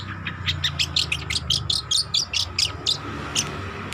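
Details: Juvenile long-tailed shrike learning to sing, uttering evenly spaced high chirps about four per second, each short and slightly buzzy, over a constant low hum.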